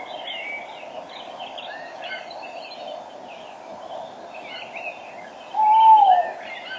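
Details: Male tawny owl right at the microphone at 06:34 on 5 March 2013, female calling farther off, gives a single low, hollow hoot that swells and fades, over a busy spring dawn chorus of songbirds and a steady hum.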